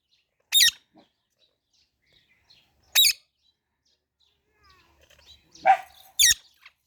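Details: Young parrot gives brief, sharp high chirps spaced a couple of seconds apart, with a slightly lower, rougher note just before the last chirp.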